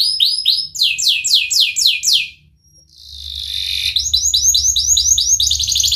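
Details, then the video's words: Canary singing in the 'cengkok mewah' style, a long song used to coax young or silent canaries into singing: rapid high descending swept notes, a brief pause, a buzzy rattling tour, then a fast bright trill. "Burung kenari gacor Cengkok Mewah"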